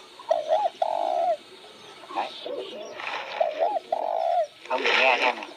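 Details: Spotted dove cooing: two clear phrases, each a short double hoot followed by a longer, drawn-out low coo. Bursts of bright chirping from other birds come between and after the phrases.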